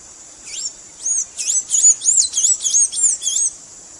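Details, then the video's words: Blue-gray tanager song used to teach captive birds: a rapid string of high, squeaky, swirling notes, rising and falling, about nine phrases in three seconds over faint background hiss. "BLUE-GRAY TANAGER"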